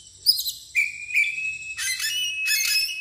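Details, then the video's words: Agitated Oriental magpie-robin, tail spread, in loud 'ngeplong' song: a sharp high note, a long pure level whistle, then two dense bursts of scratchy, overlapping twittering. "KACER gacor NGEPLONG emosi DAN BUKA EKOR"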